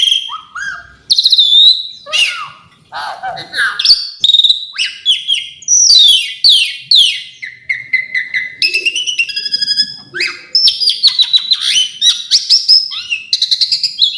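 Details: Varied Asian pied starling song full of imitated phrases, rapid sequences of rising and falling whistles, chirps and buzzy trills, continuous and loud, with fast repeated notes near the end.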